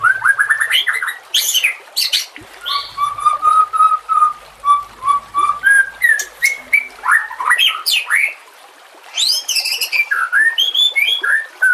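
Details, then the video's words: Training song of a white-rumped shama (murai batu), with trickling water behind: a quick rising trill, then a steady run of level whistled notes, followed by varied sweeping whistles, harsh bursts and high squeaky phrases. "Masteran murai TERAMPUH yang di pakai semua burung juara"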